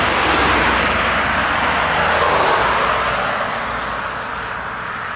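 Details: A vehicle passes with a loud broadband rush that slowly fades, and no animal call is heard.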